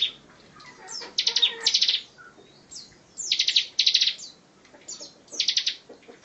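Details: Bar-winged prinia singing 'tembakan rapat', the dense rapid-fire song used as tutor material for other songbirds: phrases of a high falling note followed by four or five rapid buzzy pulses, repeated roughly every two seconds.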